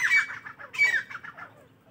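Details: Partridges calling in the morning: two loud, harsh bursts of scratchy notes followed by a short run of fading, repeated squawks.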